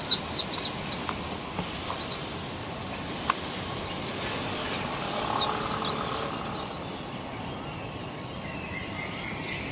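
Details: Garden sunbird from India giving high-pitched musical chirps in scattered groups, a cluster early on and a denser twittering run midway, followed by quieter background.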